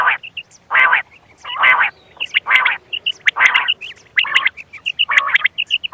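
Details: Quail (bater) calling in harsh, buzzy bursts roughly once a second, each followed by short, high, clipped whistled notes, a call recording used for quail hunting; no other sounds stand out.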